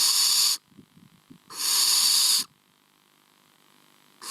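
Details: Young barn owls in the nest making their snoring call in summer, a sign the brood is doing well: long breathy hisses of about half a second to a second each, separated by short quiet gaps.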